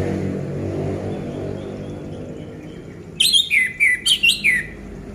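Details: Orange-headed thrush kept at home, used as a prompt for reluctant singers: after a quiet, noisy start, a burst of five or six loud, clear whistles sliding downward, with high overtones, then quiet again.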